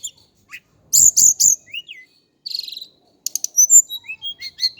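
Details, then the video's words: Javan Indigo flycatcher (sikatan cacing) giving three loud chirps, then rising slurs, a buzzy trill and a string of thin high whistles and quick chips. "KICAU BURUNG TLEDEKAN GUNUNG JAWA/SIKATAN CACING"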